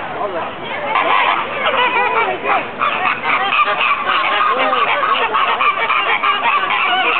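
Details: Captive flock of social pink flamingos at the Bronx Zoo in a dense, continuous chorus of nasal honking and gabbling calls, many birds overlapping without pause.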